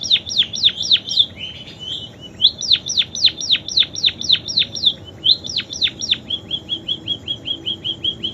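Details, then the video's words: Munia song full of canary imitations, built from fast repeated downward-sweeping whistles in bursts, a short buzzy trill, then a run of quick, even, slurred notes at the close. "Burung PIPIT Full isian KENARI"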